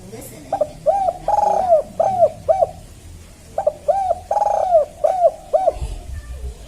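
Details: Spotted dove calling in a village setting: two full phrases of short, arched coos, each run ending in a longer drawn-out note, with a pause of about a second between phrases.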